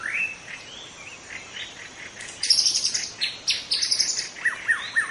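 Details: Forest-dwelling wild white-rumped shama in full song: rising whistles, then a dense burst of high buzzy, chattering notes, ending in three clear descending whistles repeated in quick succession.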